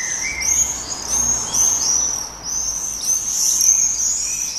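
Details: Common swifts, banging and breeding birds, around a colony in Heverlee, Leuven, Belgium, late evening of 20 June 2018: an almost unbroken chorus of piercing, high screams rising and falling, several birds overlapping, with faint background hiss.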